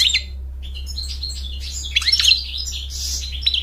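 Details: European goldfinch singing a quick jumble of high twittering and chirping notes with short sliding phrases over a steady low hum.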